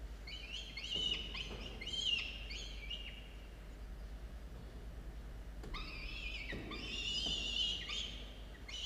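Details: Two falcon chicks in a camera-watched nest, recorded at dawn on 27 October 2022, giving harsh, wavering, harmonic calls in rapid overlapping bursts, two loud groups separated by a quieter gap, over a steady low hum.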